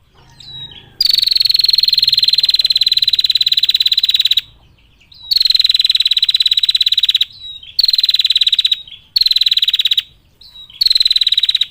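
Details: Female bar-winged prinia calling to males, giving long, clear, rattling trills of rapid high buzzy pulses: one sustained burst over three seconds, then four shorter bursts separated by brief pauses with soft thin whistled notes between.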